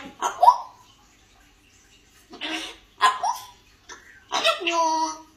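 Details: Indoor recording of a talking African grey parrot mimicking Malayalam-household speech and the words "I love you": short voiced syllables, some with sliding pitch, then a longer harmonic phrase near the end.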